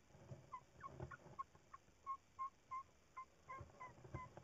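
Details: Tawny owl at its nest on 1 April 2019, giving a run of short, soft hooting notes about three per second, unevenly spaced, with a low rumbling background.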